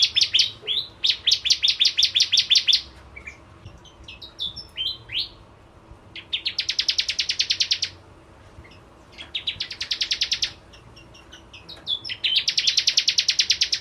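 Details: Bar-winged prinia pouring out buzzy rapid trills of high, dense notes in several long bursts, broken by scattered sharp chips and brief pauses.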